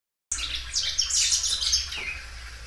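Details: Belgian canary singing loudly, kept as a well cared-for bird, stretching its song repeatedly: high warbling trills and chirps with rising and falling sweeps after a short silent start.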